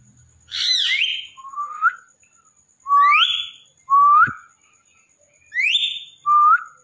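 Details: Talkative Indian ringneck parrot indoors giving loud whistled phrases: upsweeping notes near one to four kilohertz in groups, some sliding rising whistles, repeated about every second or two with short pauses between.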